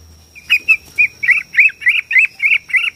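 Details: Borneo white-rumped shama, song played to make shamas sing and fight; about ten buzzy, scratchy notes spaced roughly a quarter second apart, steady in pitch.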